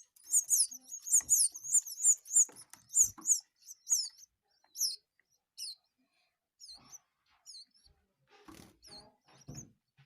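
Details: Canary chicks begging while being fed by a parent: rapid high-pitched chirping series in the first three seconds, then scattered short peeps and soft rustling noises.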